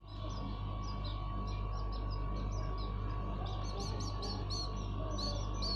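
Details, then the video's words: Hand-raised common iora chicks being fed, calling with rapid thin high chips and squeaks, repeated about two to three times a second, over a steady low hum and a constant mid tone. "Lolohan Anakan Burung Cipoh/Sirtu"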